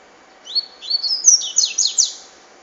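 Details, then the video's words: Double-collared seedeater singing a rapid, high twittering phrase of descending and sliding notes, loud and clear against a quiet background. "Coleiro Cachoeira"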